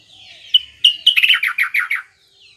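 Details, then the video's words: Trucuk bulbul singing in a session meant to make rival bulbuls reply: a quick, chattering burst of bright slurred notes, rising then tumbling down in a fast sequence lasting about a second and a half. "suara trucuk SATU ini AHLINYA bikin terapi burung trucukan gacor lawannya bikin NYAUT"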